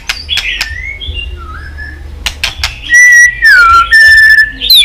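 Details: White-rumped shama song used to provoke fighting song: soft warbled notes and clicks, then loud clear whistles gliding downward in a long sequence ending with a high note.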